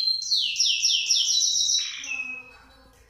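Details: Canary after moulting, learning to sing again: a fast series of bright downslurred whistles repeated about four per second, then a lower sustained trill fading out.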